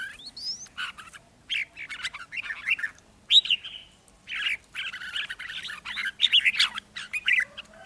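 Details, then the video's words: Red-whiskered bulbuls, caged decoy males calling as a wild bird approaches a trap, sing bright, rich bursts of warbled and chattered phrases, several overlapping in quick succession, with a few thin higher whistles between them. "Hai chú chào mào mồi so lo ché"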